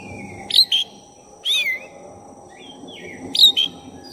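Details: Black-breasted oriental magpie-robin singing to provoke a rival: three loud phrases of paired harsh bursts and bright whistled slurs, separated by soft fluty notes, with a quiet steady hum behind.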